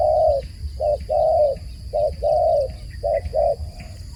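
A dove coos in low, soft notes, a short coo followed by a longer one, repeated about every second. A steady high insect whine and low rumble sit underneath.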